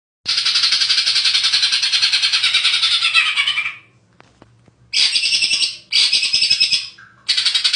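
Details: Greater green leafbird, a champion songbird, singing in long bursts of dense, rapid, buzzy chattering notes with short breaks and a few lower whistled phrases between bursts.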